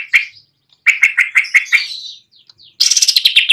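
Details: Greater green leafbird (cucak ijo) singing actively on a perch stand: a sharp chirp, then a run of short, bright repeated notes sliding into slurred whistles, a pause, then a rapid, dense, high chattering trill.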